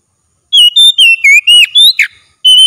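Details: Oriental magpie-robin singing at full strength in a daily training session: a quick series of about seven loud, pure whistled notes, some level, some dipping, with a sharp downward sweep near the end, then one more whistle.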